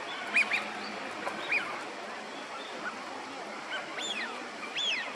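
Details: Eurasian wigeon, wintering at a park pond in Chiba, Japan, February 2025, give clear, high whistles that rise then drop, spaced a second or more apart, over a steady background hiss.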